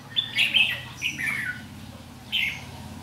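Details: Trapped-setting red-whiskered bulbul decoy, 7 July 2016, giving a fighting song; three short warbled phrases spaced across a few seconds, light background hiss.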